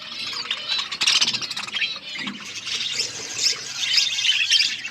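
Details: Flock of budgerigars chirping while eating: dense, continuous chatter of overlapping high squeaky chirps and warbles with no pauses, many birds calling at once.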